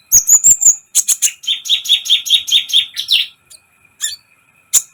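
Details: Sunbird singing on a recording used to excite other birds: a high whistled trill, then a rhythmic string of about eight repeated buzzy notes, ending in a few scattered chips.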